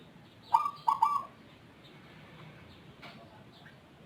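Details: Zebra dove with an unusual voice, different from local and Bangkok zebra doves; one short coo phrase of three quick mellow notes slurring into a level tone, then quiet background hiss.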